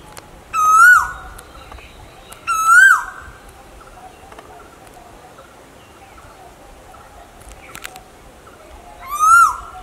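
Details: Clear whistled calls of an Asian koel, male and female featured: two rising notes close together, a long pause, then a third. Each arches up and falls with a reverberant fade, and faint clicks sound between them.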